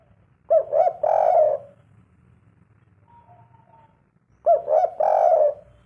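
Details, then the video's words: Spotted dove, 'kuk 3' song style: two phrases of three quick low coos each, ending on a longer held note, separated by a pause of nearly three seconds with a faint hum in the background. "merdunya suara burung derkuku kuk 3 serasa dialam liar"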